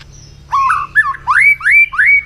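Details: White-rumped shama singing in the morning during voice training: a short series of loud, clear whistled notes, each sliding upward, repeated about four times in quick succession against a quiet background.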